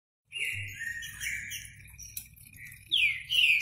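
Green-winged saltator giving clear, rich whistled phrases, sliding up and down, with a sharp rising whistle near the end; faint higher chirps from other birds behind.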